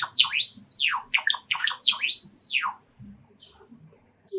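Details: A pet male sakura Java sparrow, stirred by sparrows calling from a nearby park, sings two sweeping whistled arcs separated by a burst of fast chattering clicks, then falls quiet.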